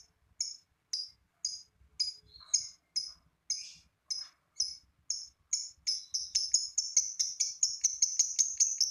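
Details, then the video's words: Lovebird building a long ngekek trill to set other lovebirds singing: sharp high chips about half a second apart speed up steadily until they merge into a rapid, continuous rattle. "lovebird ngekek panjang !! pancingan lovebird lain ikut bunyi"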